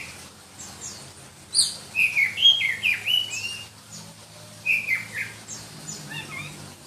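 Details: Black-breasted Oriental magpie-robin (kacer dada hitam) from Berau, East Kalimantan, valued in song competitions for a shrill voice; a quick series of loud, piercing whistled notes and slurs, then a second shorter burst, over a faint hum.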